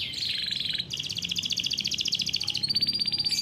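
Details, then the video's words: Canary raised on a bird farm, singing a rolling 'ngeroll' song used to tutor young canaries: continuous fast rolling trills, shifting between two pitch levels. "KICAU BURUNG KENARI GACOR NGEROLL COCOK BUAT PANCINGAN KENARI PAUD"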